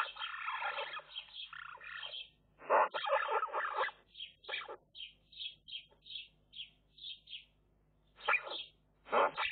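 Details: Eurasian magpie chicks begging in a nest watched by a nest camera, where some chicks die young: harsh, raspy broadband bursts of chatter, then a run of short, clear high notes repeated about every half second, then more rasping.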